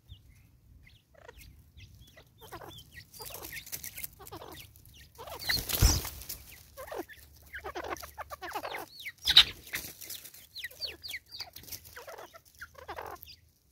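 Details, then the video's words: Female Natal spurfowl, angry, in South Africa, 2024, giving scattered scratchy cackles that build louder midway, with one sharp loud knock and a brief rustling burst. "Lady bird angry"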